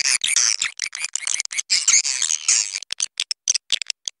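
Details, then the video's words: Swiftlet summoning call with wing flapping, meant to draw swiftlets in: choppy bursts of high, dense twittering chirps, broken by short gaps and crisp clicks. "Suara panggil walet || kepakan sayap"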